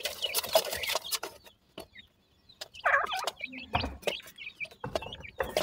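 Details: Young grey francolins utter bright, rising peeps in short clusters, separated by a near-silent pause and sharp clattering noises.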